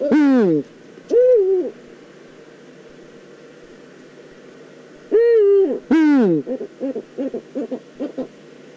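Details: Eurasian eagle-owl, Eifel region of Germany, 9 September 2014: a few long, strongly harmonic wailing cries that drop in pitch, separated by quiet pauses, ending with a quick run of short repeated notes.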